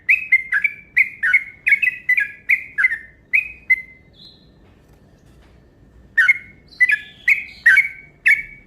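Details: Yellow-vented bulbul lure call in long, fast runs meant to provoke rival birds: bright, slightly descending chirped notes repeated about twice a second, a short pause, then another burst of rapid chirps.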